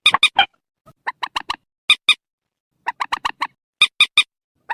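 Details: Purple swamphen call used at night with nets and a loudspeaker to lure birds: rapid series of harsh, screeching notes in pairs and triplets, with some lower rasping notes between them and short gaps.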